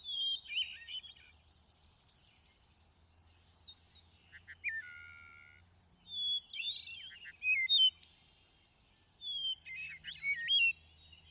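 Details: Thrush song of varied phrases: warbled twitters, sliding whistles, a low descending note and sharp high stuttered trills, separated by short pauses, over a faint low hum.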